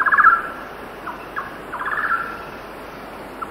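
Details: Wild golden-naped barbet song recorded at 6,000 ft on a windy day: a quick rattling trill opens, then scattered single hollow notes and a second rolling trill, set against constant wind noise with cicadas and faraway birds.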